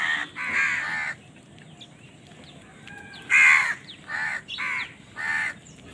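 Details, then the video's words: Crows competing for food give hoarse caws in uneven bursts. Between the loud calls, fainter chirps from other birds can be heard. "Crow Bird Crowing Sound || Crow ki Awaz part 68 || Crow Bird Fight for Food"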